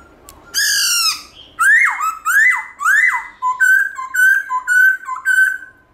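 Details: Black-throated laughingthrush in voice-switching forest-style song at morning. A long buzzy-rich note opens, then three rising slurred whistles, then a fast string of short bright whistled notes.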